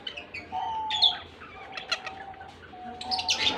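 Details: Lovebird pair, a blue personata and a white albino, giving sharp high chirps and squeaky twittering bursts in quick clusters, over a steady mid-pitched tonal note that recurs in the background.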